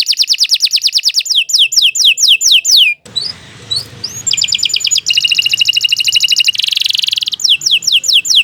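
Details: Canary song, long and loud: rapid falling whistles, a short pause with soft background noise, then chips, a fast rattling trill, a buzzy burst and more quick whistles.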